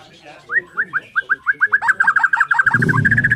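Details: White-rumped shama from Borneo singing in the morning: quick rising chip notes accelerating into a rapid stuttering series, ending in a steady trill with a low rumbling noise underneath.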